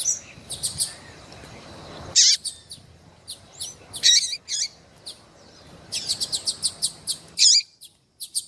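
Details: Female rusty-collared seedeater calling, used by breeders to stimulate males: rapid high chirps and sharp sweeping notes in bursts, with short pauses between clusters.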